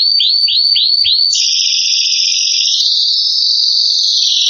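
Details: Excited canary opening with five quick rising swoops, then holding a loud, continuous buzzy trill that steps up slightly in pitch.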